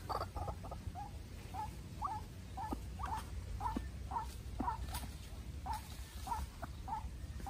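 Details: White-breasted waterhen, a young decoy bird facing a wild bird in an intense duel: a series of short, hollow, mid-pitched notes, one to two per second, over steady low rumbling background noise.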